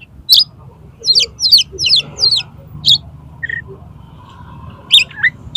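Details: Oriental magpie-robin singing to challenge a rival to fight, tail spread: loud sharp chirps and quick twisting whistled notes in bursts, one short lower whistle in the middle, faint low background hum.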